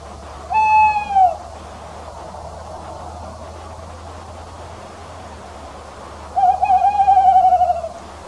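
A male Tawny Owl gives a steady, mellow hoot, then after a five-second pause a long, quavering, wavering hoot; faint low background hum.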